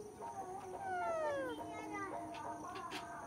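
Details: A pet Alexandrine parakeet talks in a reedy, human-like voice, saying "mithu mithu": a few short words with a long falling slide, over a faint steady hiss.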